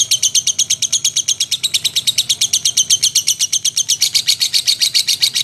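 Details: Lovebird ngekek and teler singing, a sustained rattling chatter of shrill repeated notes, nearly three each second, keeping a steady rhythm and brightening slightly toward the close.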